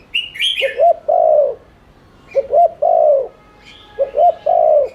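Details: Spotted dove repeating its coo phrase, a lure meant to stimulate cooing: three phrases of two short rising notes and a longer falling coo, with brief high chirps from another bird.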